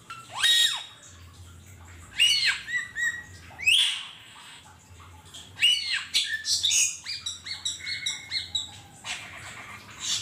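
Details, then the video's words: Wild Asian glossy starling calling in the wild: loud harsh squawks with sharp whistled upslurs in bursts about every two seconds, then a run of quicker chattering notes, over a faint low hum. "Burung cucak keling di alam liar"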